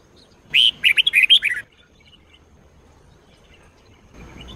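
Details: A red-whiskered bulbul sings Sông Kôn style song used for daily training: one lively second-long phrase of about six bright whistled notes, then a quiet gap and the start of another.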